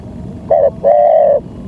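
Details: Spotted dove used to lure wild doves: one short coo and then a longer, level, steady coo, with faint low background noise.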